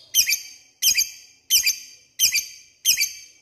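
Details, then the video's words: Lovebird calling to bring out rivals: five sharp, doubled, squeaky chirps at steady intervals of about two thirds of a second, each with a short ringing fade. "Pancingan lovebird mudah di respon lawan memanggil lawan ngeekek"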